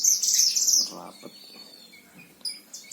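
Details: Himalayan-type oriental white-eye, a lively 'gacor' tutor bird from Sragen, Central Java, Indonesia: a dense burst of very high, rapid twittering for about a second, then only faint scattered chirps and a low murmur.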